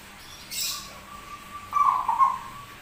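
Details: Zebra dove with an unusual voice that sings often, described as rare: a faint drawn-out tone, then a louder rolling coo with two strong pulses. A brief sharp click is heard early.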